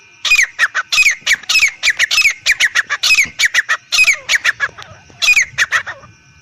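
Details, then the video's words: Male and female Black francolins call in quick, loud, squawking bursts, several harsh notes per second, in clustered groups with brief pauses. "دھکنی تیتر ایرانی تیتر نر مادہ کی صاف اواز"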